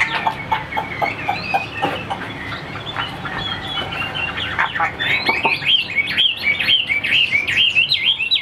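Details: Caged Chinese hwamei, a tame bird kept for song: choppy clicking and short harsh notes first, then, after about five seconds, a quick sequence of bright, wavering whistled song phrases.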